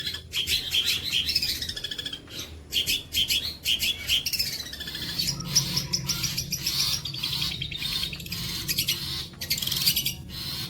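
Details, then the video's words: Long-tailed shrike song used for tutoring other birds: rapid, varied high chirps and twittering phrases with rising and falling whistled notes, delivered in dense bursts separated by brief pauses. "MATERI ISTIMEWA BOLO PANJANG"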